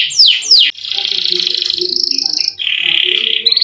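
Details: Canary in full song with long rolled trills, played to coax quiet canaries into singing: two steep falling notes open a long buzzy roll of over two seconds, then a brief break and a second, lower roll.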